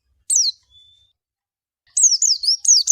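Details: Oriental white-eye (pleci) giving one thin descending note, a pause, then a short burst of high, quick twittering slurs.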